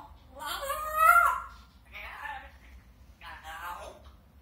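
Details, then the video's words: An African grey parrot talks in three short word-like phrases, said to be Lithuanian-ish; the first is loudest and rises in pitch, and the room is otherwise quiet. "African grey parrot talking"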